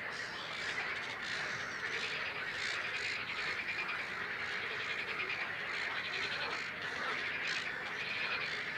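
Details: Great crested grebes (nominate subspecies) at Het Vinne, Zoutleeuw, Belgium, in May 2016 give harsh, rasping squawks that overlap into a near-continuous, grating chatter with no clear pauses.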